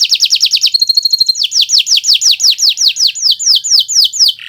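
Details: Kenari Nusantara canary singing gacor for other birds to copy: a rapid series of sharp descending chips, a brief thin whistle, then a long run of evenly paced, ringing falling notes.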